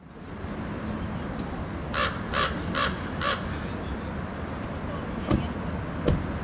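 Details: Ravens at the Palace of Fine Arts in San Francisco in June, giving four harsh, hoarse calls in quick succession near mid-recording over a steady background rumble, followed by a couple of sharp clicks.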